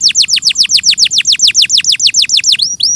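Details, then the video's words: Canary in a clear tutor recording delivering a steady series of bright, sharply falling whistled notes, about six per second, ending with an upslurred note. "Masteran suara burung KENARI"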